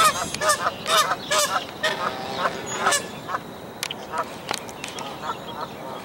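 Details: Canada goose near a dead-tree nest as five newborn goslings leap out after their mother; rapid series of loud nasal honks, several per second early on, fading to sparser calls.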